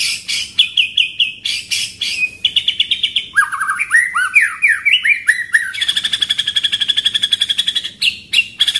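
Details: White-rumped shama singing a pastol-style training song with a rolling 'tembakan' rhythm: bursts of sharp chips, a stretch of rising whistled slurs, then a long, fast, rolling rattle of rapid notes.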